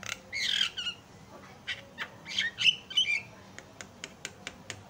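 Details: Javan myna on a training recording meant to provoke other mynas into calling: harsh, raspy squawks in short bursts, then a run of sharp dry clicks spaced irregularly, with a quiet background.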